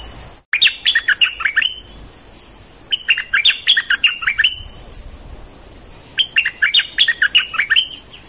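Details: Bulbul used as a decoy bird, one of three, repeating lively bubbling phrases of rapid chirps separated by short gaps, with a faint high whine between phrases.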